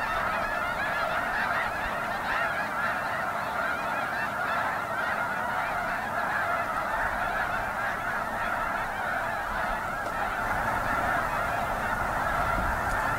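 A large flock of snow geese keeps up a dense, unbroken clamor of high, nasal barking honks, countless voices overlapping with no pause.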